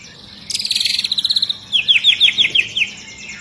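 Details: White-rumped shama of the long-tailed type, agitated and singing dense high rapid notes: a fast buzzy trill, then about ten sharp, chipping, downslurred notes in quick succession.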